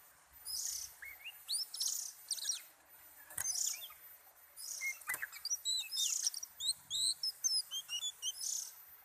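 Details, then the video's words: Oriental magpie-robin in a relaxed mood, delivering a rich, varied song of sharp whistles, rising slurs and fast twittering notes, separated by short hissing bursts. "BURUNG KACER LAGI ENJOY"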